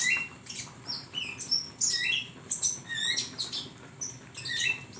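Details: Flowerpecker song for training cage songbirds: busy sequence of sharp, high, slurred chirps, some rising and some falling, following in quick succession almost without pause. A soft low hum sits in the background.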